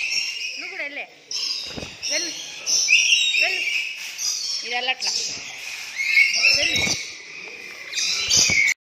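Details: Pet parrots calling almost nonstop: harsh, high, grating screeches and chatter in overlapping bursts, with people talking nearby throughout.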